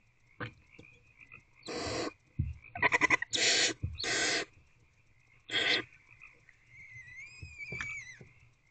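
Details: Owls in a nest box at night, 1:48 am, February 2024, while an older owlet swallows a large piece of prey; several loud, harsh hissing bursts about a second long, with soft clicks and scuffles between and a thin rising whistle near the end.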